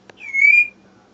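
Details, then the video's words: African grey parrot, a rescued female, whistling out of sight in another room indoors: a short click, then a single pure whistle that rises slightly and holds for about half a second over a faint hum. "African Grey talking from the other room"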